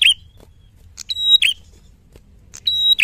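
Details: Red-headed tit in loud fighter-style gacor singing, recorded as a clear tutor track. Rapid high phrases: a thin sustained whistle breaking into a lower slurred note, given three times within three seconds over a soft low rumble.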